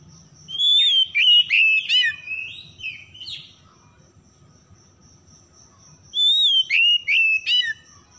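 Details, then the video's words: Oriental magpie-robin singing, played as a lure to make stressed, silent birds sing: two bursts of loud whistled phrases with quick twitters, a pause between them, and a faint steady high tone in the background. "PANCINGAN PEMIKAT KACER SETRES MACET BUNYI LANGSUNG GACOR"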